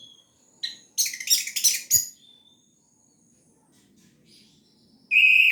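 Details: Orange-headed thrush in gacor teler song: a loud jumble of harsh chattering notes, a few soft whistles in between, then a strong clear whistled note at the end.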